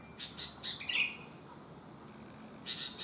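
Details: Bulbul with an abnormal leg, a sooty-headed bulbul, gives a short burst of quick chirps ending in a bubbly warble, then falls quiet before a couple more sharp chirps near the end.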